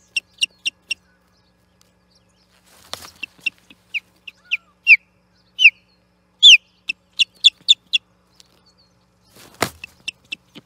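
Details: Osprey fighting an interloper over the Charlo nest platform, 8 June 2021: bursts of rapid high chirps mixed with louder whistled downslurs, and two sharp broadband thumps or rustles.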